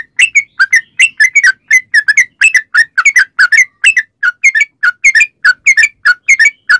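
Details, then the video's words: Long, fast yellow-vented bulbul song meant to lure others into singing: a steady stream of bubbly, slurred chirps, single and paired, about two per second, with no other sounds. "trucukan gacor ROPEL PANJANG buat pancingan trucukan agar bunyi"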